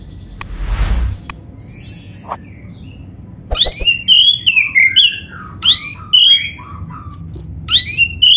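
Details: Black-breasted oriental magpie-robin in full song for stimulating other magpie-robins: a brief rustle and scratchy sounds open, then repeated rich phrases of loud downslurred whistles and sharp high notes every second or so.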